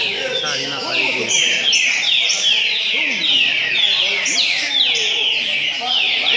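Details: Repeater-style trinca-ferro, green-winged saltator, at a singing contest in Cachoeira Paulista, Brazil: clear downslurred whistled phrases repeated roughly twice a second, with other birds singing in the background.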